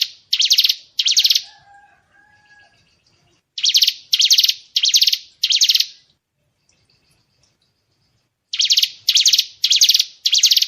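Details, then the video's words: Murai batu (White-rumped shama) 'tembakan' shot phrases for songbird training masters: groups of harsh, buzzy high chattering bursts, a long pause with faint soft whistles, then a second run of bursts. "Isian tembakan burung murai batu"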